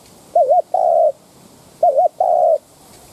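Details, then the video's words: Spotted dove kept as a lure to incite wild doves, giving two phrases, each a wavering looped note then a steady, slightly falling coo, about a second and a half apart. "Tiếng cu mồi đất thúc - gù kích bổi"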